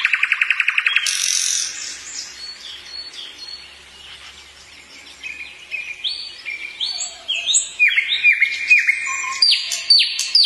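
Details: A common nightingale sings in the evening, opening with a fast run of dry repeated clicks, then varied phrases of high whistles, buzzy notes and rapid repeated trills.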